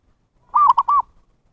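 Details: One zebra dove cooing phrase used to call in wild birds: a drawn-out arched note, a brief note, then a second arched note, clean with no background.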